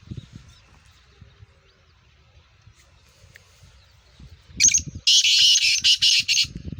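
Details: Black francolin, a captive Sindhi teetar bred from a Gangas Sheedi cross with a nasal voice, bursts into one loud, harsh, grating phrase of several rapid notes after a quiet stretch with faint low rumbling.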